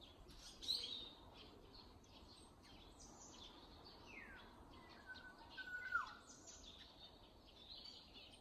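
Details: An unidentified bird heard in early summer around a home yard and neighbourhood alleys: a brief high chirp early on, then a sliding downward whistle and a short clear whistled note near the end, over steady soft background hiss.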